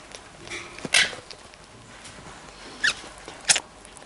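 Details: Green-cheeked parakeet (Pyrrhura molinae) kept as a house bird gives three short, harsh, broadband screeches spaced about a second apart, against a quiet indoor background with faint tapping.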